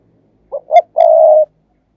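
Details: Decoy spotted dove giving a quick thúc gù coo for luring doves: a brief low note, a slightly louder second note, then a sustained even coo, clean and quiet around it.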